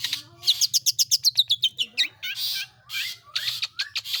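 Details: Long-tailed shrike singing in the 'roll tembak' style: a rapid burst of about a dozen harsh, high chattering notes, then buzzy, rising, scratchy phrases with short squeaks, over a steady low electrical hum.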